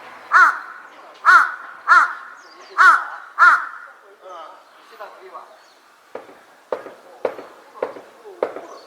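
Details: A large-billed crow calling in a park during cherry-blossom season on 26 April gives five loud, harsh caws about one second apart, then fainter rough calls and a few sharp clicks or knocks follow.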